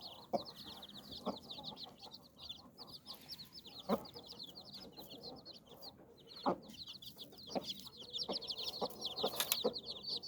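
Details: Hen sheltering nine chicks beneath her wings gives scattered low clucks among constant high chirping from the chicks, with a faint hiss in the background.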